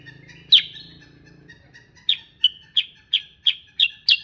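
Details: Sooty-headed bulbul giving sharp, bright chip notes: one loud note, a pause, then seven clipped chirps repeated about every third of a second, with a faint low hum early on.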